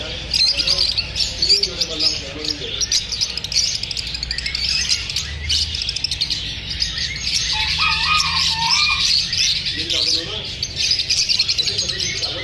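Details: Lovebirds chirping after feeling unsafe from being filmed: a dense, continuous wash of high, rapid tweets and twitters from many birds, with a few lower warbled notes mid-clip.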